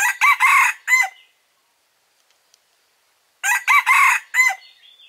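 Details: Red junglefowl rooster, recorded as a lure call for bird traps, crowing twice about three seconds apart. Each crow is a quick harsh four-syllable phrase ending in a short clipped note, with silence between the crows.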